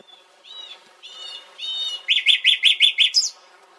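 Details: Nightingale singing three drawn-out, slurred whistles that rise and fall, then a rapid burst of about six loud rising notes ending on a sharp high note, with no other sounds.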